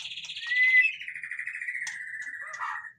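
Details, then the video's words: White-rumped shama in noisy song: a long buzzy rattling phrase that slides gradually downward over three seconds, with a brief bright whistle near the start and a sharp click partway through. "suara burung murai batu ribut"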